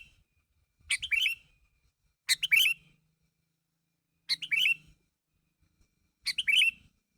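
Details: Sooty-headed bulbul calling so that others respond: short bubbly chirped phrases repeated about every two seconds, with a faint low hum between some phrases.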